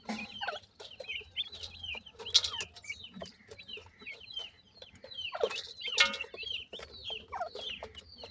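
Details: Grey francolin (teetar) chicks being fed by attentive parents, giving many high, thin, downslurred chirps that overlap irregularly, with occasional brief louder rustling bursts.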